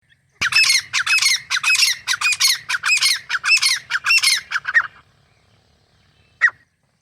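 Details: Grey francolin calling: loud, harsh, rhythmic series of ringing squawking notes repeated rapidly for about four and a half seconds, then silence with one last short note.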